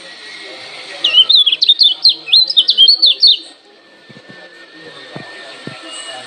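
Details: Lemon-bellied white-eye from Lombok giving a challenging call meant to provoke other birds to answer: a rapid run of high, sharply zigzagging chirps lasting over two seconds, then quiet with a few faint clicks and a steady background hiss.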